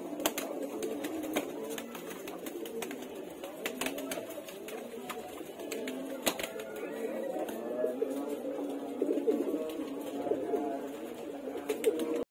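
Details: Male pigeons fighting, apparently in a small indoor space: low, rolling, murmuring coos run almost continuously, broken by sharp clicks and slaps scattered throughout, with a few louder bursts near the end.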